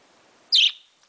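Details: Young male pet parakeet vocalizing indoors in the morning: one short, bright, high chirp lasting a fraction of a second, sharply rising then falling, with quiet background.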